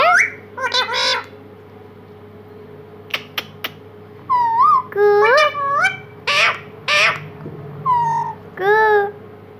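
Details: Talking pet parrot indoors uttering a rapid run of nasal, speech-like syllables and whistled notes, some rising, in bursts of about one per second, with sharp clicks early on and a steady background hum.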